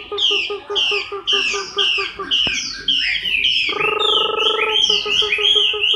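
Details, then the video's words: Chinese hwamei in moult, October 2015, sings repeated sweeping whistles above fast low pulsed ticks, interrupted by a buzzy droning note about a second long. "HỌA MI THAY LÔNG"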